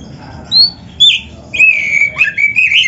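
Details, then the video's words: Short passage of Oriental magpie-robin song rich in fill phrases, used to train other songbirds: two or three sharp high whistles, then a sustained, wavering slurred warble. "MASTERAN KACER GACOR FULL ISIAN !! - Suara Burung Kacer yang cocok untuk Latihan"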